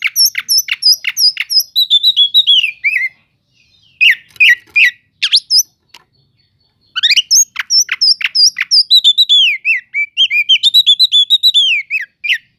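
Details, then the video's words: Oriental magpie-robin song used to provoke other magpie-robins: rapid series of sharp high chips and slurred descending whistles, a pause of about three seconds, then another fast run of chips and warbled whistles in a quiet setting. "Pancingan untuk burung kacer yang lambat emosi.setelah dengar kicauan kacer cele'ngan ini"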